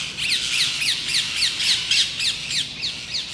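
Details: Rose-ringed parakeets in a flock of about ten screech nonstop around a fleeing red squirrel among plane trees in the gardens of Versailles, France. Shrill, grating calls come in a fast, steady run, roughly four per second.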